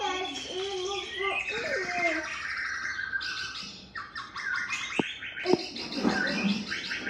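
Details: Varied song of a male white-rumped shama: slurred whistles and wavering harmonic notes at first, then rapid high rattling trills and sharp squawky notes, punctuated by a few clicks.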